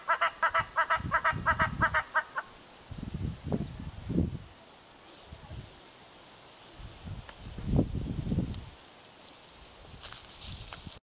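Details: A Southern red-billed hornbill in western Etosha National Park, Namibia, gives a quick run of hollow, clucking notes, about five per second for two seconds, followed by low rumbling wind gusts.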